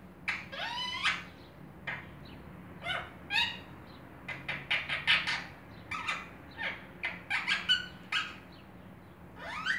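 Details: A 13-month-old Indian ringneck (rose-ringed parakeet) chatters in short, high, squawky bursts sounding like mimicked words, with kissing sounds and a low background hum.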